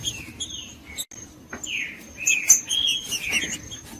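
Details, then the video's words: Green-winged saltator song of the Judas type, used to warm up cold, silent saltators: short slurred whistled phrases, several falling in pitch, scattered over four seconds, with sharp clicks and a thin steady high tone running throughout. "ESQUENTAR TRINCA FERRO FRIO 2024 TRINCA FERRO JUDAS"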